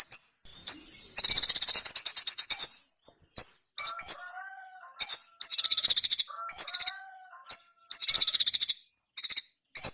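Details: Ruby-cheeked sunbird, a small brightly coloured nectar-eating bird known as sogon, singing high rapid trills broken by sharp chirps, with soft lower whistled notes in between.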